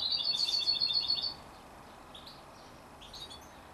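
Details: Canary-goldfinch hybrid youngster, 33 days old, delivers one quick rattling run of high twittering notes lasting just over a second, followed by faint scattered chirps.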